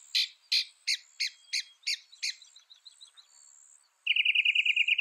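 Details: Northern mockingbird song with a series of harsh, squawky notes repeated about three times a second, fading into softer notes, then switching abruptly to a fast, loud, even trill.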